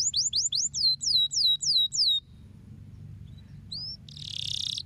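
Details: Canary song used to stimulate lazy canaries: a run of descending whistled notes, a pause, a single rising note, then a buzzy rasping sound.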